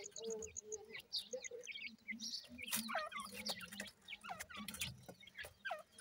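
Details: Grey francolin (teetar) chicks calling: faint, scattered thin high chirps and short upward-curving peeps, irregularly spaced, over constant rustling and a low murmur of background noise.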